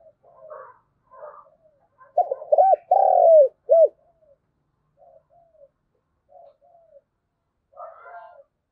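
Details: Thúc gù cooing of a spotted dove in thổ đồng voice, played as a lure for wild doves: scattered soft murmured notes, then a loud phrase of arched hoots around a long rolling coo, followed by quiet coos.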